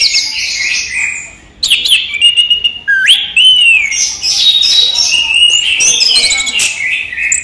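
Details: Orange-headed thrush from a bird collection singing during the day: varied whistled phrases, including a loud upward-sliding note followed by a falling slur, then a long jumble of twittering and trills.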